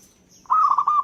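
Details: A local zebra dove delivers a single quick, rippling coo of several joined pulsed notes, with a faint high whistle from another bird behind it.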